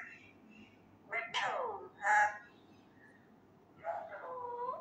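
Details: A male pet Indian ringneck parakeet attempting spoken words: a falling, rasping syllable, then a brief louder call, and after a pause a drawn-out tonal phrase imitating speech.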